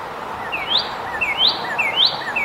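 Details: Cardinal in song, giving ringing upslurred whistles, each starting with a short falling note before a rising sweep, three phrases spaced evenly over faint steady background noise.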